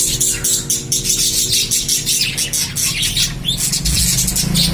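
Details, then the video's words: Lovebirds in a dense, continuous chorus of high, harsh chirps and squeaky notes overlapping throughout, with a steady low hum underneath. "Love birds natural sound"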